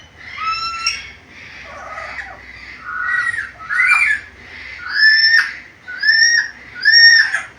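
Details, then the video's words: Vocal black-capped lory showing its varied voice. Wavering whistles and squeaks lead into three loud, arched whistled notes, each rising then falling, spaced about a second apart. "MASTERAN BURUNG NURI KEPALA HITAM GACOR BISA NGOMONG SUARA BERVARIASI"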